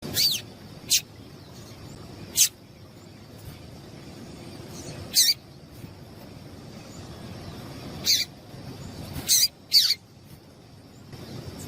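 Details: Female Double-collared seedeater (papa-capim) call, used by breeders to excite caged males into singing for song tournaments; about seven short, sharp, high chips spaced irregularly, a few in quick pairs, over a steady faint hiss.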